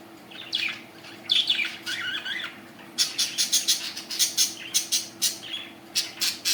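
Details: Happy budgerigars chatter with rapid, scratchy chirps and squawks in quick repeated bursts.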